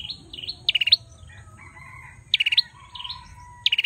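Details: Male bar-winged prinia with dipping whistles leading into rattling bursts of five high buzzy pulses, spaced about one and a half seconds apart; a faint lower bird call runs underneath.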